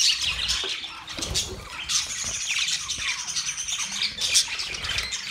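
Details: Australian parrot budgies chirping: an overlapping mix of thin whistles, trills and harsh squeaks, pulsing in short bursts over a soft low background hum.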